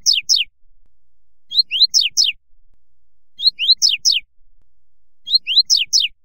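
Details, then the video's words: Double-collared seedeater (Sporophila caerulescens) singing its "fibra" song, a short phrase of three or four high, sharply falling whistled notes repeated about every two seconds, with nothing else heard. "Coleiro (Sporophila caerulescens) Canto Fibra"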